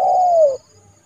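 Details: Trained decoy spotted dove calling a rival bird into the yard for trapping in January: one loud, smooth, hollow coo lasting over half a second, falling slightly at the end, then quiet.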